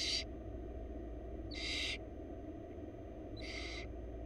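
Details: Wild barn owl chicks in a nest box in Florida, begging as their mother feeds them: three harsh, breathy hissing screeches, each about half a second long, spaced roughly two seconds apart over a low steady rumble.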